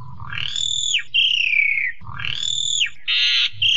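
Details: Asian pied starling song with complete 'isian' fill-in phrases: loud whistled notes that rise and then slide down, two long phrases broken by harsh buzzy bursts, over a low rumbling hum.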